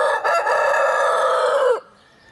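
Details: Crowing from Oriental Gamefowl, an old 4.1 kg black-silver rooster and his multicoloured son, March 2012: one long, sustained, raspy crow held steady for nearly two seconds before dropping sharply in pitch and stopping.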